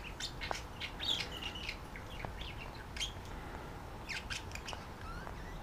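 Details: A male and a visiting female budgerigar calling to each other while flirting as they are put up for the night; steady chatter of short high chirps and scratchy warbles with a few clicks.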